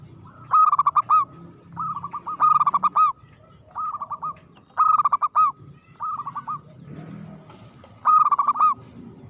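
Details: Zebra dove, a local bird, gives an aggressive cooing song: short phrases of rapid staccato coos, each ending in a longer drawn-out note, repeated about every one and a half to two seconds against quiet low background rumble.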